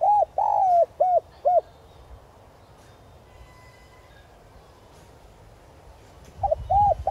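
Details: Decoy spotted dove calling to lure wild doves: a burst of three or four arched, hollow coos at the start, a long pause of background hiss, then more coos at the end.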